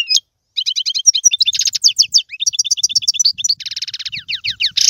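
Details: European goldfinch song used to encourage a pet goldfinch to sing: a continuous run of quick liquid twitters, repeated chirp series and a buzzy trill, bright and high-pitched.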